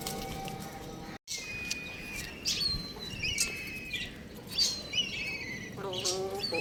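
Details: Young chicken playing on a roof, giving high, thin whistled chirps that slide downward, several short peeps spread through the clip, one dropping out briefly, with a lower harmonic-rich call near the end over steady background hiss.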